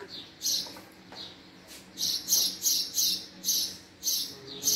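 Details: House sparrow chirping rapidly and loudly, nine or so high, rough chirps packed into under five seconds, coming faster toward the end.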